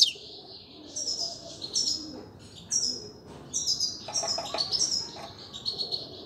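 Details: Grey-crowned goldfinch singing a bright, rapid twitter of high tinkling notes and short trills in bursts, with brief pauses between phrases and a quieter, low background hum.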